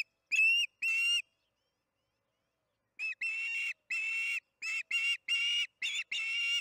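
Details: Osprey calls from the Charlo nest cam at evening feeding, 8:15 pm MDT, June 21, 2019. Two shrill whistles, nearly two seconds of quiet, then about nine longer, harsh whistled notes in an uneven rhythm.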